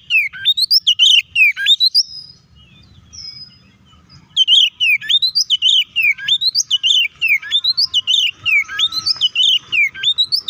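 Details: Fighting song of a white-rumped shama, used as a lure to make other shamas agitated: quick repeated rising whistled notes, a pause with a lone soft whistle, then a fast, dense run of sharp phrases.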